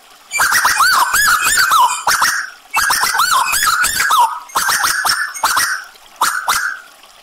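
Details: Gacor Tuwu bird with added trickling water, whistling repeated, slurred, quavering notes that dip and fall in pitch. Three main bursts are broken by brief gaps and crisp clicking sounds.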